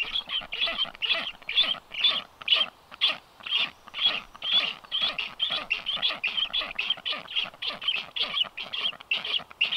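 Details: Livestream nest camera, 9 July 2023, black stork nest visited by two strange storks; very regular wheezy, scratchy pulses repeat about twice each second in a steady series.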